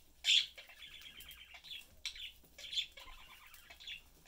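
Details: Budgerigar family of mother, father and young bird chatting during a meal; two loud chirps opening rasping warbled phrases, with soft twittering between.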